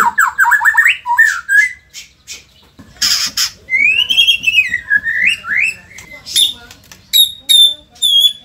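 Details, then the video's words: White-rumped shama from Indonesia, a lively performing bird, singing fast rising whistles, a harsh noisy burst, a long wavering whistled phrase, and clipped high notes repeated at the end. "auto emosi !! murai gacor super figter | shama bird Indonesia"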